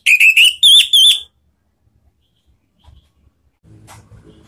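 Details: Orange-headed thrush ngeplong lure phrase, meant to set other thrushes singing: a quick series of rising whistled notes repeated about five times in just over a second, then near silence with faint rustling.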